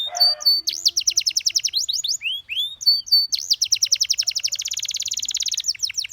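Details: Canary singing, described as dancing, in a sweet melodic performance: long rapid rolling trills of high whistled notes, shifting between several tempos, with a few sliding whistles in between.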